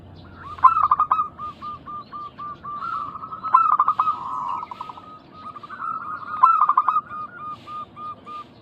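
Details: Local zebra doves in Indonesia, used as a lure so other doves call back. Bursts of rapid stuttering coos, about every three seconds, over a steady high ringing tone. Several birds overlap in a continuous chorus.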